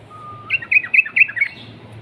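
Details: Yellow-vented bulbul in vigorous song, a long rapid 'ropel' style used as a lure to get silent bulbuls singing: a faint thin whistle, then about six quick bubbly, warbling notes packed into one second over a low hum.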